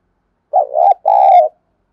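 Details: Spotted dove used as a decoy bird, its call played to provoke other doves into cooing: two low, hoarse coos in quick succession, the first wavering and broken, the second smooth and sustained, then silence.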